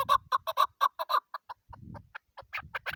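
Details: Female chukar partridge giving a rapid series of loud, short clucking notes that weaken and break up toward the end, with soft low rustling underneath.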